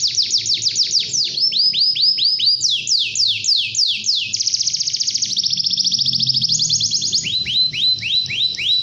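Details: A canary's morning song, meant to get other canaries singing: repeated falling whistles in quick sets, a long buzzy rolling trill, then even, evenly spaced descending notes.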